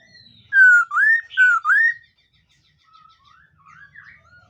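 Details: Morning voice-training song of a black laughingthrush (khướu mun). Four clear, fluty whistles in quick succession, each rising then falling, are followed by faint softer warbled notes in an indoor setting.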